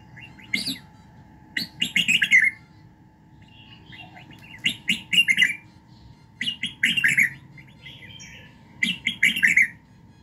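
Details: Morning song of a red-whiskered bulbul, used for voice training and for rousing other birds: four lively bursts of rapid, fluty chirps sweeping up and down, repeated every two to three seconds, with quiet pauses and a soft background hum.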